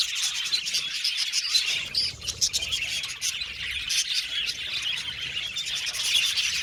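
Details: Several budgerigars chattering at once, busy high-pitched twittering and squeaky notes, briefly thinning near the two-second mark before the overlapping chirps build again.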